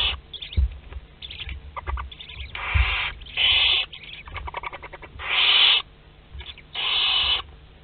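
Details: Western barn owls inside a nest box at Théding on 22 August 2021, while chicks of the second brood hatch: loud, steady, hoarse hisses lasting about half a second, with scattered ticking and soft scratching between them.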